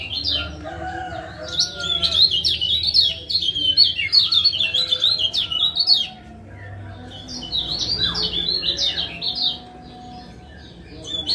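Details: Male lemon-bellied white-eye from Lombok giving high, sharp 'ciak ciak' calls, used to coax a silent male into singing again; rapid zigzag chirps in two bursts separated by a short pause, over a low steady hum.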